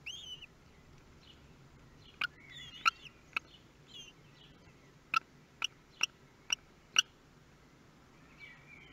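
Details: Common kestrel nestlings during their first meal at Théding on 23 May 2022; faint high wavering whistles at the start and end, with a series of sharp clicks in between, about six in quick succession.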